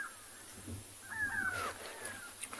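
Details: Grey go-away-birds alarm calling with a drawn-out, nasal, slightly falling call over quiet bush murmur, a few faint sharper notes near the end, as a predator moves near its carcass; afternoon, 31 July 2020, private game reserve, South Africa.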